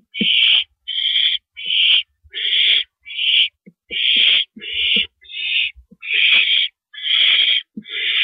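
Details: At a barn owl nest at 2:42 AM on 7 April 2012, while a rabbit is brought in as prey, harsh hissing rasps come in quick succession, roughly eleven bursts, with light tapping and scuffling beneath.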